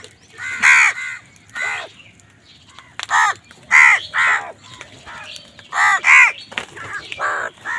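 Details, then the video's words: Crows squabble angrily with wild birds over food, giving a rapid series of loud, hoarse, downward-arching caws in paired bursts roughly every second, with quieter calls between them. "Angry kawa ki awaaz"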